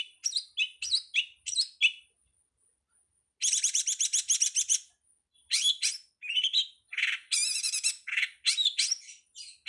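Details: Cowet or long-tailed shrike master song for teaching songbirds, 'ala anak rimba': jumbled chirps, a pause, then fast trilled rattles, bright whistles and dense twittering runs.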